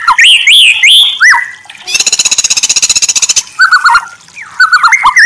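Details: Masteran (training) song of the White-rumped shama: looping high whistles and down-slurred notes, broken by a harsh, fast mechanical rattle lasting about a second and a half, then more rapid warbled phrases.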